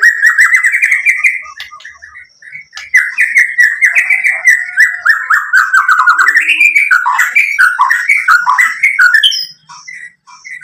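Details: White-rumped shama song used as a lure to provoke other shamas: a long run of rapid, buzzy whistled notes rising and falling, ending with sparse chirps.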